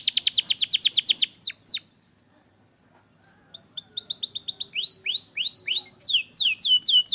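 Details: Canary song used as a remedy for stalled singers: a rapid high trill, about a second's pause, then repeated curving whistled notes accelerating into fast chirps.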